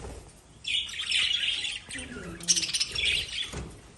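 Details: Lovebird chirps in two rough, high twittering bursts separated by a short gap, with a faint low murmur between them.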